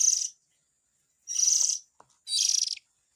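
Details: White-rumped shama chick calls used as a lure for adult birds: three harsh, hissing, high bursts, each about half a second, separated by silent gaps, with a faint click between them.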